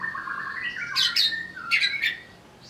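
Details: Greater green leafbird made to sing while agitated, giving a steady whistled phrase that steps upward before two harsh, squawky bursts.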